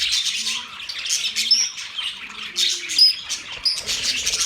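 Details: Budgies chirp and twitter in busy high chatter, with clear thin whistles repeated now and then above the scratchy warbling.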